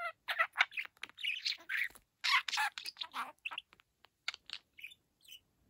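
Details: A young pet budgerigar, first beginning to talk in August 2022, chatters in quick, scratchy bursts of warbling and squeaky notes, some slurred like early attempts at Japanese phrases, with short pauses between phrases.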